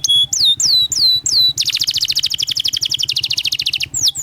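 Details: Canary 'cuit cuit' roll song used as a training lure for young canaries: four sliding downward whistles, then a long fast buzzy trill lasting about two seconds, ending with another slide, low background hum beneath.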